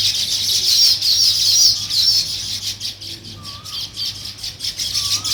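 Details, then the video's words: Nest-building weaver birds give a busy, high-pitched chattering of many birds together, rising and falling in loudness, with a few soft lower whistled notes. "Sparrow Chirping Sounds, |Weaver Birds Building Nest"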